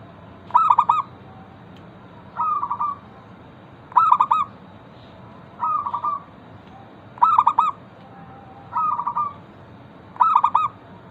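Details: Local zebra dove singing vigorously, used as a lure to prompt other zebra doves to sing: seven low cooing phrases about every 1.6 seconds, alternating stuttering pulsed coos with smoother trilled rolls, over a faint steady background hiss.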